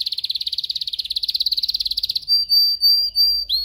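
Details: A canary sings for young birds learning song: a fast pulsing roll for about two seconds gives way to three clear, sustained high whistles with a short rising note at the end.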